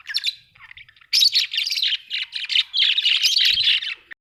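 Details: Pet budgerigars kept at home, a dense stream of high chirps, squeaks and warbling chatter running almost continuously after a brief pause near the start, with no other clear sounds.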